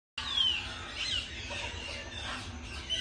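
A pair of cockatoos gives harsh, raspy screeches run together with thin whistled notes, nearly unbroken for three seconds over a faint low rumble.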